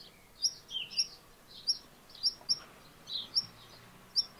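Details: Black redstart repeating crisp, high, clipped call notes roughly every half second to second, some paired closely, with a couple of lower, softer chirps in a quiet setting.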